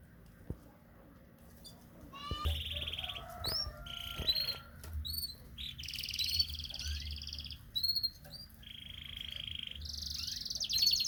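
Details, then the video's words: Canary in the morning during courtship, singing quieter, scattered phrases of buzzy trills and short whistled notes, with clicks and some background knocks. "penjodoha burung kenari dipagi hari"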